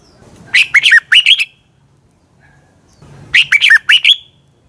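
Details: Red-whiskered bulbul singing at morning as a training lure: two matching phrases of bright, bouncing warbled notes about two and a half seconds apart, separated by silence.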